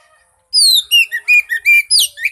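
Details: A lure recording meant to get a silent Oriental magpie-robin singing: a rapid string of piercing whistles, first falling, then short level and upward notes, closing with a loud scratchy flourish over faint background hiss.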